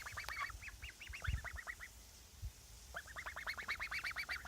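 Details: Three pet geese calling: rapid series of short, nasal honks in two bursts, a quick run of about ten honks, a pause, then another fast, rhythmic volley, with low thumping handling noise between.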